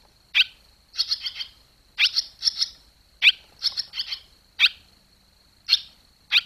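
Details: Barn swallows at fledging time, July 2023: single sharp chirps alternate with triple-note twitter bursts, repeated about once a second, over a faint continuous high hum.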